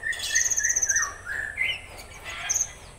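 A Konin gives rough, rapid bursts of song: high, fizzy trills mixed with sharp chirped notes that jump between pitches, in quick repeated volleys.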